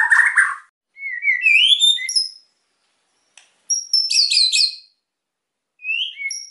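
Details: A white-rumped shama in spirited song aimed at provoking quiet birds: a harsh burst, rising slurred whistles, a pause, then a dense cluster of high chattering notes and two final short whistles.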